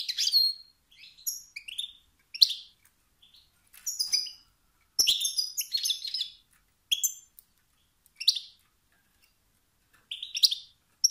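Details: Male wild European goldfinch uttering 'sts-sts' and 'bt-bt' motivating calls that spark competition and dominance in other males. Short, scattered bursts of high chirps and buzzy notes are separated by frequent quiet pauses.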